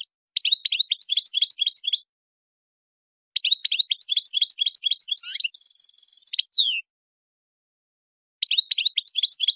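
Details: Wild-type European goldfinch song made of fast, high, stuttering note series repeated about four per second. A bright, nasal buzzing trill cuts in midway, then the twittering resumes after a pause. Clean, quiet background.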